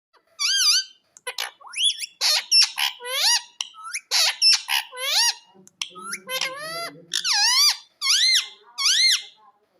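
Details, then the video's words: Indian ringneck parrot kept at home giving a loud series of screeching, harmonic calls, many sliding up then down in pitch, delivered in quick bursts with brief gaps, plus a lower raspy stretch around the middle. "Indian Ringneck Parrot Voice || Great Indian Ringneck Parrot Sound At Home"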